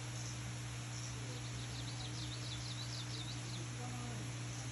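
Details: Kamchatka leaf warbler singing at Hatto Furusato Forest on 1 June 2025: a rapid run of about eight high, buzzy, V-shaped notes in the middle of the clip, over a steady low hum and faint insect noise.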